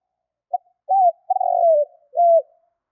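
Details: A single full phrase from a spotted dove used to lure wild birds for trapping: a clipped opening note, an arched coo, a long quavering falling coo and a final flat, dipping note, in complete quiet.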